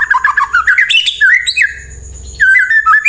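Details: White-rumped shama singing to coax other birds into answering: fast rippling whistles climbing in pitch, then clear, fluty rising and falling notes, a brief lull, and more loud whistled phrases.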